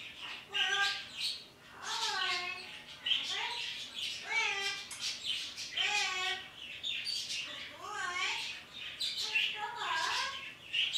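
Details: A pet parrot talking to the birds outside in the morning. It gives a run of wavering, harmonic whistled phrases, each a second or so long, spaced by short pauses over quiet room background.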